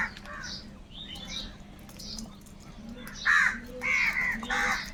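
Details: Crows squabbling over food: soft distant calls at first, then three loud, raspy caws in quick succession near the end.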